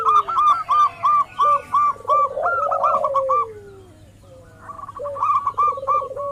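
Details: Local zebra doves calling as a lure for rival birds: evenly spaced short clipped notes in a row, a loud rolling trilled coo in the middle, a brief quiet gap, then more clipped notes and coos.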